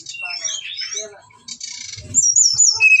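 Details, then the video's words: Brown-chested jungle flycatcher lure song, styles called nretet, ngeplong and nembak, used to rouse other birds into fighting: short mixed phrases of high whistles, trills and rising notes with brief pauses, ending in louder clear whistles; faint low thumps beneath. "Suara Pancingan SRDC gacor Nretet Ngeplong Nembak isian membuat srdc bahan Emosi Fighter"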